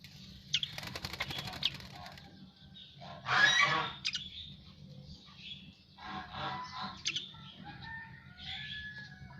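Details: Freshly bathed Asian pied starling delivering loud harsh, croaking bursts mixed with clicks and brief whistles, the strongest burst about a third of the way in.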